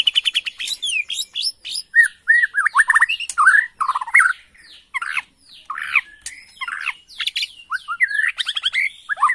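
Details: Bornean white-rumped shama, emotional and quick to reply to a lure, pours out a long, varied medley of whistles, squawky notes and rapid sweeping phrases with brief gaps between bursts.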